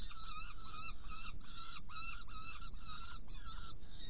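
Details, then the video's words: At a Hungarian Saker falcon nest on 16 June 2018, during feeding of two young: dense, hoarse calls with bent, wavering pitch, given almost without pause, mixed with low rumbling background. "Saker Falcon Hungary 2018-06-16 Prey delivery and feeding two Young ones"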